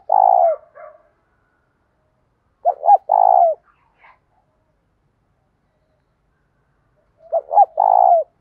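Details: Spotted dove, 'giọng thổ' blended with 'thúc gù', morning call meant to attract wild doves. Phrases of two quick low coos and a drawn-out coo recur with long silent gaps between them.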